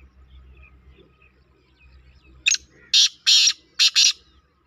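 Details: Black francolin calling: after quiet rural background, a single harsh high note is followed by a rapid series of loud, grating, broadband bursts, some grouped in pairs.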